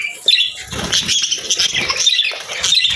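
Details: Pet budgies chirp and squeak in a scratchy, high-pitched stream of short notes, fairly steady in loudness, with soft low rustling underneath.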